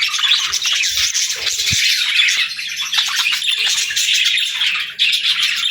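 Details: Pet parrot at the start of its morning routine, kept indoors: dense, continuous high chirping and twittering without pause, with brief low thumps partway through.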